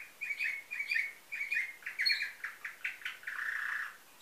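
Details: Canary from a breeder in Varna, Bulgaria, 2013, singing nightingale-type song: a run of short, bright chirped notes about twice per second, ending in a sustained buzzy trill, in a quiet setting.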